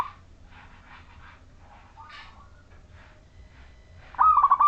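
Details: Local Majapahit zebra dove singing to prompt other zebra doves to call. Quiet scattered chirps and rustles, then a loud, rolling trilled coo phrase at the end over a low hum.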